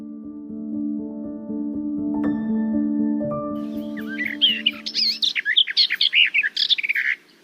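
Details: Garden warbler (Sylvia borin) sings a fast, rich, continuous warble of rapid varied notes. Sustained musical tones fill the opening seconds before the song takes over.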